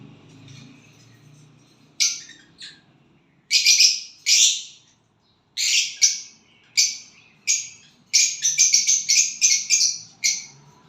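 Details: Violet bird singing and chirping on getting a partner: quiet start, then harsh, buzzy high chirp bursts from about two seconds, some single, some in quick clusters, ending in a rapid run of chirps.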